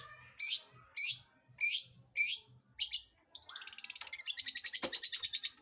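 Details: Long-tailed shrike singing to provoke other birds into song, five harsh, high downslurred notes about every half second, then a fast buzzy rattling trill that steadies into a pulsing chatter.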